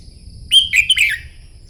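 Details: Red-whiskered bulbul in morning song practice for contests, delivering a rapid warbled phrase: a clear whistle, then several quick slurred notes sliding downward, all within about three quarters of a second, with a faint steady hum behind.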